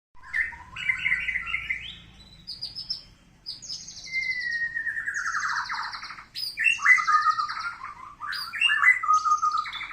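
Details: White-rumped shama singing a varied, rich phrase sequence: short fluty notes, a long descending slurred whistle, then quick jumpy whistled phrases, with clear pauses between bursts.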